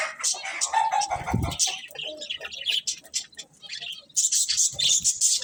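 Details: Budgerigar chirps and warbles, mixed with a brief low rumbling sound early on, a quieter middle stretch, then a loud burst of high twittering at the end.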